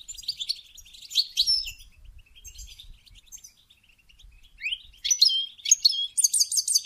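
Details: Goldfinch song used to encourage mating: tumbling high twitters, a quieter middle stretch, then loud rising notes and rapid repeated trilled phrases at the close.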